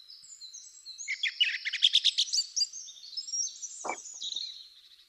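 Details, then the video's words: Song Thrush male in spring song, an early singer whose phrases carry territorial messages to females and rivals; a fast burst of repeated high chirpy notes mid-clip, softer warbling before and after, one brief low click. "quite a good one to learn because as you can hear he has lots of different phrases which he repeats two three four five times then stops"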